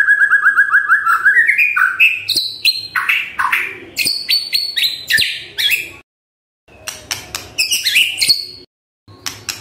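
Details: White-rumped shama song used in the morning to prompt silent birds to sing: a run of repeated whistled notes around mid pitch, then varied rising whistles, sharp high chips and short buzzy phrases with brief pauses.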